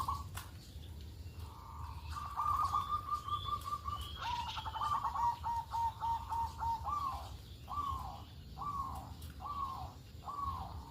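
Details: Local perkutut, the zebra dove, used as a morning lure so that other doves will sing along. Long rolling strings of rapid, bubbling coos, then separate short bursts spaced about a second apart. Faint bird chirps in the background.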